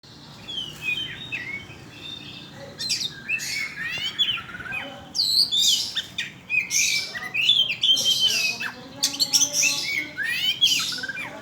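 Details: Oriental magpie-robin song used as a lure to provoke other birds: varied loud whistles, sweeping slurs and harsh chattering notes in rapid bursts, growing denser and louder after the first few seconds.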